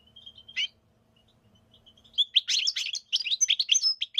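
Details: European goldfinch singing: a faint thin whistle and a brief burst, then from about two seconds a dense run of rapid high twittering notes with buzzy, tinkling elements; a low steady hum underlies the quiet opening.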